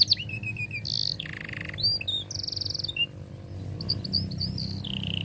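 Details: Canary song meant as a lure for young canaries: short buzzy rolls and whistled slides separated by gaps, over a low humming background noise.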